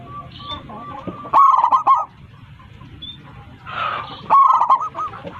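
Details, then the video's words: A Zebra Dove with a powerful voice calls its flock. Two loud phrases of staccato notes tumble into warm, quavering coos, with a brief rushing noise just before the second phrase. "PERKUTUT LOKAL GACOR 27 MEMANGGIL KAWANANNYA MANGGUNG suara besar"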